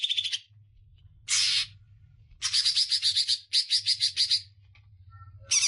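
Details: Greater green leafbird song from a medium-length training recording for other cage birds: harsh, buzzy chattering bursts, a short one, then two long rattling runs of rapid notes separated by quiet gaps.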